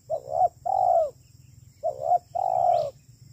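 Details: Spotted dove lure call of the kuk 3 type, given twice: a rising two-part coo, then a long, full, hoarse coo that tails downward, over a soft low rumble.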